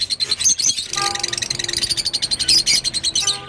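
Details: Rosy-faced lovebird gives a quick, pulsing run of high squeaky chirps, about ten notes a second, with sharp whistled accents.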